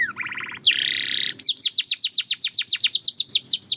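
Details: Belgian canary song starting with a short rising rolled trill and a sustained buzzy churr, then an even run of about fifteen sharp descending chirps at a steady rapid pace.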